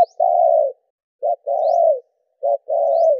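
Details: Spotted dove, 'gù đảo nước' coo used to make captive decoy doves respond: a long even coo, then two rounds of a brief note followed by a sustained slightly falling coo, about one second apart.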